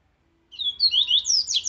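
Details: Strong aggressive rusty-collared seedeater song, as used for training birds: after silence, clear whistled notes climb and slide, running into a fast series of very high descending strokes.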